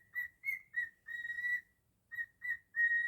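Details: Pet cockatiel whistling its own version of Jingle Bells: clear whistled notes in short bursts, a few quick notes then a longer sustained one, with a brief pause before the phrase resumes.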